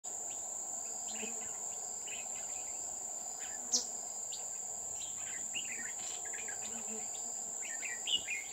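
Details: Red-whiskered bulbul used as a decoy while trapping at Núi An Phú, Chùa Hương, Vietnam, on 20 October 2019. Short chirpy, warbled phrases repeat throughout over a loud, steady, high insect drone.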